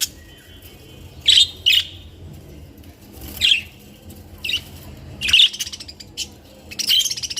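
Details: Colorful captive budgerigars calling: scattered sharp, high chirps and squawks in short bursts a second or so apart, with wing flutters and a low background hum.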